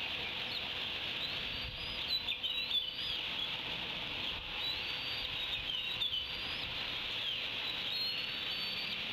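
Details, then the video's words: Young bald eagles at the Decorah nest, 10 June 2016: D24 looks up from a fish Dad delivered to briefly join D25's squeeing chorus, with thin, high squealing squees in short bursts, some rising and falling, over a steady hiss. "D24 looks up from the fish to briefly join D25's squeeing chorus"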